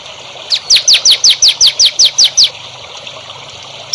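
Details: A songbird sings on a training recording for young birds: ten sharp, clear, downward-slurred whistles delivered evenly at about three per second, then silence apart from background hiss.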